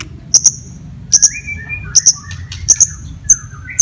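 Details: White-rumped shama fighting song meant to excite other shamas: repeated paired very high sharp notes about every 0.8 seconds, with soft whistles between.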